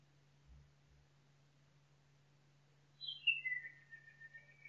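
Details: Nightingale singing in a forest: after a quiet start, a bright phrase slides down from high to middle pitch and settles into a steady, slightly wavering whistle, with no other sounds.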